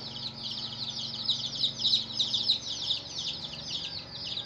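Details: Domestic chicks peep loudly as a flock. Sharp, high, downward-sliding chirps come in quick overlapping bursts, rising and falling in loudness, over a faint low hum.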